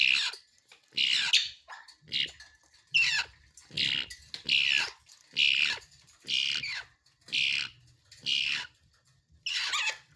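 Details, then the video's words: Grey parrot chicks in Noida, India, give harsh, raspy, high-pitched, grating squawks, roughly one a second in an uneven rhythm. "Grey Parrot Chicks"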